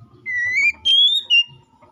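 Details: Oriental magpie-robin in full 'gacor ngeplong' song, calling a rival and used as a lure to get another magpie-robin singing: a long clear whistle rising slightly, then two higher level whistled notes, over faint low background rumble.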